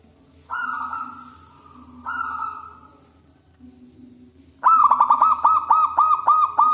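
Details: Local zebra dove with a big, loud voice, used to lure other doves: two drawn-out level notes, then a fast series of clear bubbling coos repeated several times per second, over a faint low hum.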